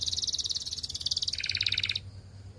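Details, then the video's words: Belgian canary song as a fast, high rattling trill that drops to a lower, equally rapid roll before stopping abruptly after two seconds. "Belgian Canary Singing"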